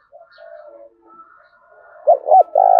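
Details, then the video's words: Spotted dove cooing in the 'thúc bổi' style used to train decoy doves: faint, soft murmuring at first, then a loud phrase at the end of two short hoarse notes and a longer purring coo. "Tiếng cu gáy thúc bổi, tiếng gáy để anh em tập bổi ngày m5, chim cu gáy tập bổi mới nhất"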